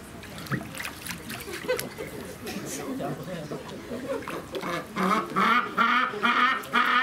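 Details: Northern rockhopper penguins squabble over food at Keikyu Aburatsubo Marine Park, Kanagawa, Japan, on 25 February 2018, and one falls into the water: chatter, people talking and a splash, then harsh, pulsing brays in the last two seconds.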